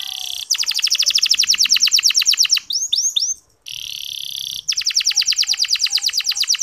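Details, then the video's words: Canary chirping used to rouse male canaries to sing: fast rattling trills of repeated notes, interrupted by three looping whistled notes and a brief silence, then the trill resumes. "Suara Kenari Ngeriwik Halus"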